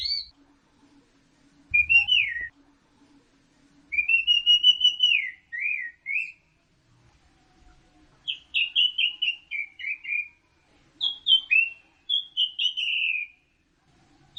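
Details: Orange-headed thrush delivering teler song: a series of separate phrases, ringing whistles, descending slurs and fast stuttering trills, repeated every few seconds with short gaps, against a faint steady hum.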